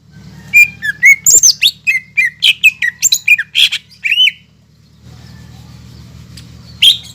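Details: Caged greater green leafbird (cucak ijo) in full song, used as a lure to provoke silent birds: loud separate whistled and sharp chirped notes at varying pitch, about two per second, then a pause over steady low hum.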